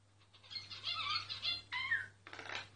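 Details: A myna sings a brief phrase of mixed warbling whistles, a clear rising-falling whistle and a final harsh rasp, with a low background hum.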